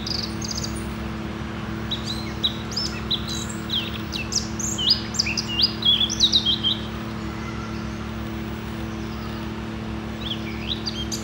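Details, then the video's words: A Eurasian blackcap in Denmark sings a quick, varied warble of high, clear notes that swells into a rich burst mid-phrase, over a steady low hum. "Munk - sådan synger danske fugle"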